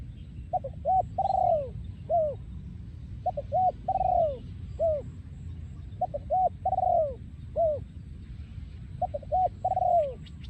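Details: Breeding male spotted dove singing in the yon khu ang style: mellow cooing phrases, each a short double note then a long drawn, falling coo, repeated about every three seconds over low rumbling background noise.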